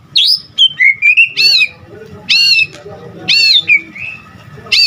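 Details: White-rumped shama singing hard: a few sliding whistles, then loud, rich, rising-falling notes delivered one by one about once a second, with gaps of quiet between.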